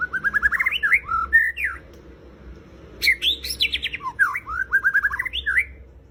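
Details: White-rumped shama singing two rich, rapid bursts of song: quick trills of slurred whistled notes leaping up and down, with short twittering runs, separated by a brief pause; faint low hum underneath.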